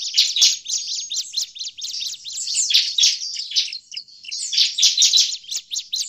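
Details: Bar-winged prinia giving noisy, agitated calls, used to lure prinias in forest. Dense high chirps pour out in clustered bursts, easing briefly around the middle before building again into loud chatter.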